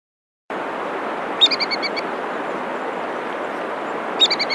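Ibisbill giving two quick bursts of ringing, high, clipped notes, about five or six per burst, three seconds apart, over a steady roar of rushing water.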